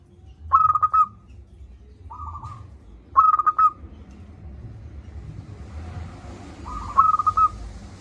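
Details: Zebra dove of a local strain singing loudly as a lure for doves that rarely call: four phrases of rapid stuttered cooing notes alternating with softer flat coos, with hissing background noise building toward the end.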